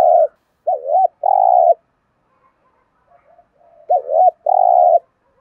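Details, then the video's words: Spotted dove's thúc gù coo: a short loud coo, then a dipping wavy double note and a long, steady, strong coo. A few faint murmurs come before the same phrase repeats. No other sounds are present. "cu gáy thúc gù nghe phê"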